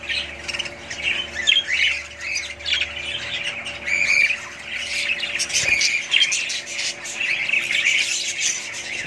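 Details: Budgerigar family calling together: rapid chirps, squawky notes and warbling chatter rising and falling in loudness, a low steady hum beneath.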